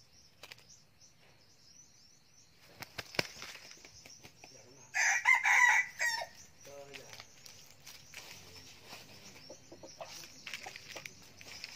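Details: Young male red junglefowl kept as a decoy bird, recorded in 2019, giving one harsh, broken crow of about a second midway, set against a steady background of thin, high chirps from small birds and a few sharp clicks.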